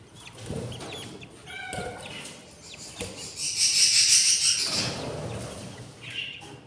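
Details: Yellow budgerigars tend a nest of four hatched eggs on day 7, the chicks very hungry; scattered soft chirps, then a loud, rapid buzzy run of begging calls lasting about a second, plus faint rustling.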